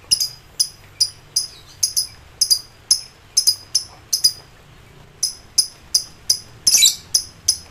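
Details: Lovebird in high excitement calling rivals: quick, bright chirps in uneven clusters, a brief gap, then more chirps ending in a louder harsh burst.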